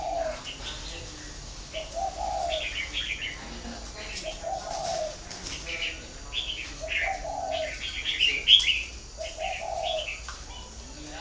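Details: Spotted dove from a breeding farm in Ba Vì district, Hanoi, northern Vietnam, repeating a low, mellow cooing phrase roughly every two seconds, about six times, while small birds chirp and twitter sharply above it.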